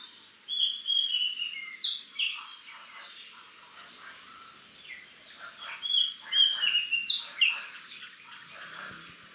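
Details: Oriental Magpie-Robin in a garden in western Thailand, singing a rich, varied run of clear whistles and quick trills, high-pitched and delivered in two bursts with a short pause between.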